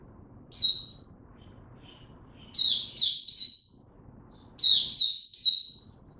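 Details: Oriental white-eye kept in a cage for training, giving spaced groups of high sharp chirping notes, a single note then two clusters of three, separated by short silences.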